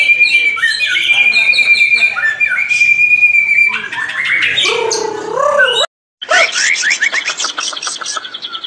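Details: White-rumped shama (murai batu) song: a held high whistle over a chattering run, then lower warbled swoops, a short break, and a rapid series of high repeated notes.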